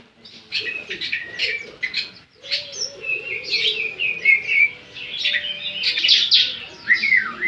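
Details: Semi gacor Javan sun-bird (ciblek) song: rapid high twittering and sharp chirps in dense bursts, some rising and falling slurred notes, repeated irregularly, with quieter lower chirping underneath.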